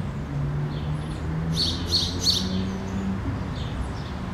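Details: Three short chirps from a house sparrow hopping in a Helsinki yard, Finland, May 2013, partly masked by constant low traffic hum and a droning engine tone.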